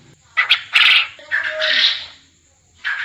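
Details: Quail call used as master audio for contest training toward lively (gacor) calling: two short clipped notes, then a longer raspy drawn-out call and a faint later burst.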